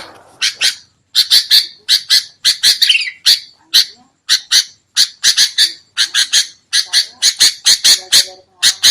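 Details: Sooty-headed bulbul lure for bird trapping: clipped, rasping notes in pairs and triplets repeated through the whole stretch, with short silences between groups.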